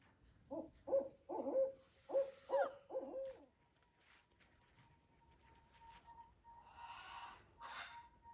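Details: Barred owl, or hoot owl, calling in a backyard: a series of about six deep, even hoots over three and a half seconds, then a faint steady tone and a few short noisy bursts.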